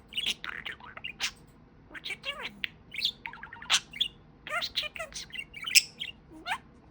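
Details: Talking parakeet, a pet budgie, delivering quick chirpy speech-like phrases with twittering notes, short downward slurs and a few sharp ticks, in uneven bursts.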